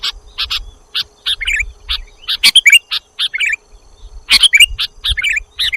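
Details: Sooty-headed bulbul (kutilang jawa) on lure audio: separate short chirps and little burbling, down-slurred phrases repeated at uneven intervals, with a faint low hum behind.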